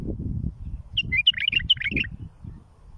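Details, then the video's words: Bulbul song used for tutoring and raising fledglings: a quick burst of bright, warbled chirping notes lasting about a second, set against a steady low rumbling background. "للتلقين وتخريج الافراخ"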